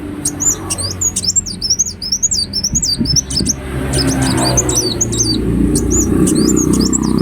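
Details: Ruby-cheeked sunbird gacor song used as a lure: long runs of rapid, thin, high squeaking notes in wavy chains, with a growing low rumble of background noise.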